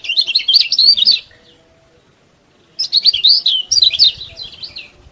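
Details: Yellow-bellied prinia song used as a master recording to prompt other prinias to sing: two bursts of rapid, high twittering and chirping notes, roughly a second and two and a half seconds long, separated by a pause of quiet.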